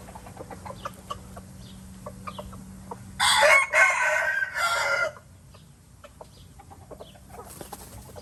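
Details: Crowing red junglefowl, Laos: a single powerful crow in three strong segments, the middle part longest, rising out of a quieter background of scattered faint bird chirps and ticks before and after.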